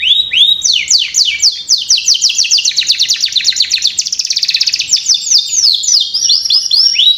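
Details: Canary singing a lure song meant to get young birds singing quickly: continuous bright, high chattering trills of fast repeated notes, about four per second at times, with buzzy rolling passages in the middle and sweeping whistles at the end.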